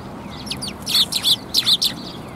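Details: At a Tenmangu shrine on 10 January 2022, a flock of Eurasian tree sparrows arriving to be fed lets out a lively run of shrill, clipped chirps in two quick groups, close and loud against faint background hum.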